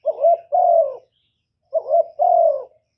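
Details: Captive spotted dove used as a lure for wild doves, giving its cooing call in a clean recording: two matching phrases, each a short wavering coo followed by a longer, steady, mellow coo, separated by a gap of about 0.7 seconds.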